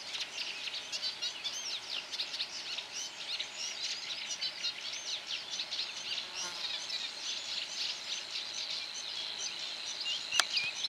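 Eurasian reed warbler singing a steady, chattering stream of scratchy, jerky notes, each phrase repeated two or three times, with a thin high whine near the end.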